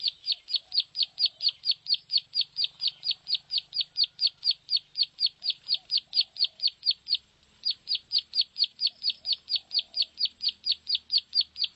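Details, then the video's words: Plain prinia lure call: a rapid, steady stream of high, sharp notes, about four per second, broken once by a short gap near the middle before resuming, with faint lower chirps and a low background hum. "suara pikat burung prenjak sawah"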